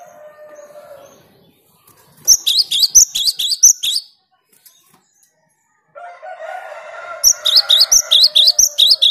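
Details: Cinereous tit (gelatik batu) in vigorous song: quick series of high, sharp repeated double notes, a pause, then a second series. Behind the second series runs a broad, rough lower noise, with a faint buzz at the start.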